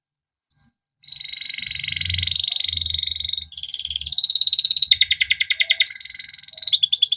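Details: Male canary in captivity delivering a 'ngerol' rolling song meant as a master for training canaries: long buzzy sustained rolls changing pitch several times, some coarse and pulsed, with a faint low rumble beneath.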